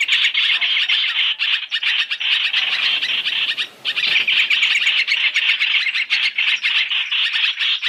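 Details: Trapping lure of black-throated laughingthrush in a three-in-one mix: loud, grating chatter made of very quick pulses, about four per second, with one brief lull midway before the racket resumes.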